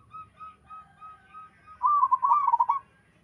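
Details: Local zebra dove song with other doves answering: several faint, evenly spaced whistled notes, then one loud, rapidly rolling, purring coo phrase.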